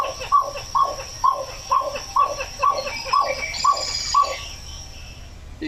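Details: A Pied-billed Grebe in wetland during nesting season in Washington, likely on eggs, gives a steady series of about ten hollow, identical, fairly low notes, roughly two per second, over a faint background hiss.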